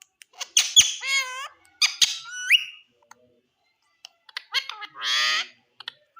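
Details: {'caption': 'Talking Indian green ringneck parrot: squeaky, sliding syllables in two quick groups, a pause with faint clicks, then a buzzy harsh burst.'}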